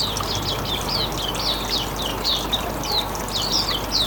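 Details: Hume's white-eye in riwikan style, meant to lure other birds: a steady run of short downslurred high chirps repeated several times a second, over constant background noise.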